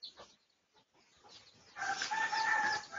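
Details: Red junglefowl of the Pradu colour type in a research recording dated 18 August 2023. After a quiet opening with faint clicks, a harsh, harmonic crow starts partway through and holds strong and steady to the end.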